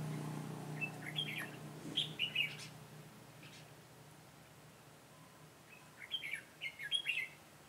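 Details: Red-whiskered bulbul used as a trapping decoy, singing to lure wild birds on 22 September 2017; two bursts of quick, chirpy warbled phrases separated by several seconds of quiet, with a faint low hum early on.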